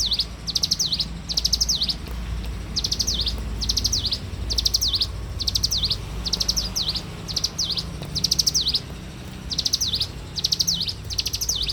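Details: Bar-winged prinia in full morning song: regular phrases of rapid high chipping, each ending in a V-shaped whistled dip, repeated roughly every second for the whole stretch; low steady background hum.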